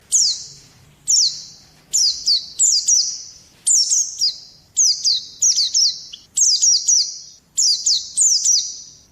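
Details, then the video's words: Oriental white-eye song used as a lure and tutor for other songbirds: short high sweeping phrases that drop in pitch, delivered in bursts about one second apart, with brief pauses between. "kicau burung Pleci"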